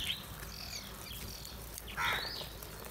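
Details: Crows feeding together while calling loudly: faint high chatter in the first half, then one harsh, loud squawk with stacked overtones near the two-second mark. Steady outdoor background noise underneath.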